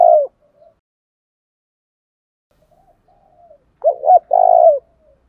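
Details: Spotted dove decoy giving one full low phrase, two short hollow notes and a long burry coo, in the 'thổ đồng' fight-urging style, after the tail of a previous coo and a quiet pause.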